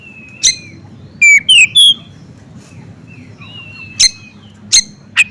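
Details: Bar-winged prinia (ciblek gunung) song set with oriental magpie-robin song to provoke other birds: spaced short whistles and sharp ticks, a cluster of three loud swooping notes in the middle, with faint background hum.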